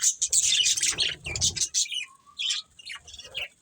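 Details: Budgerigars from a breeding colony, a breeding pair among them, give dense high chirps and chattering warbles. A steady low whistle sounds near the middle, and soft low rustling runs underneath.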